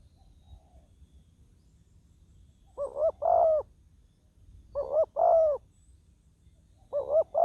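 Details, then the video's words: Spotted dove used as a ground decoy for luring wild doves. After a quiet start, three cooing phrases follow, each two short hollow notes then a longer smooth coo, about two seconds apart. "ต่อนกเขาใหญ่ต่อดิน ติดแล้วยังสู้"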